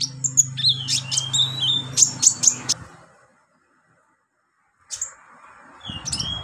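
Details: Olive-backed sunbird song used as a training recording for beginner birds: high thin chirps and quick downslurred whistles in a rapid irregular burst, then near silence before a few more sharp notes, over a low steady hum.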